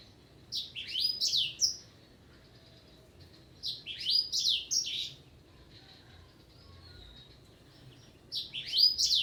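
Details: Black-throated canary singing in short bursts: three clusters of rapid, high, twittering notes, each lasting about a second, separated by quiet gaps of roughly two to three seconds.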